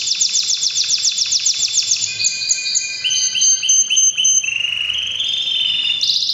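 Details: Canary singing powerfully in breeding season: rapid repeated downward-sweeping notes, then a series of sustained high whistled tones and buzzy trills, continuous and loud.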